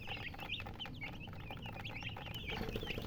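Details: Chickens, hens, chirping: a dense stream of short, high, bending peeps from several birds overlapping, some rising and falling sharply, over steady low rumbling background noise.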